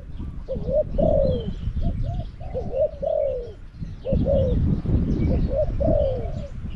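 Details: Cooing of a caged decoy Spotted dove set out to lure wild doves in Song Phi Nong, Thailand; soft paired notes and falling drawn croos repeat in series, with low background rumble and faint distant chirps.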